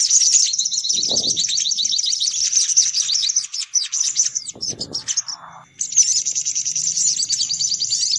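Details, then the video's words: Lure call of noisy sunbirds: continuous high, fast twittering, a brief lower buzzy note midway, a short break, then the excited chatter resumes. "Suara Pikat Burung Kolibri Paling Manjur || Sogok Ontong Ribut"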